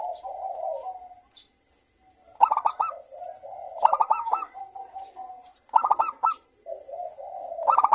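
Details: Zebra dove song as a lure to start other local birds singing, several calling in reply: low purring coos broken by three bursts of fast clipped bright notes, each trailing into a steady coo.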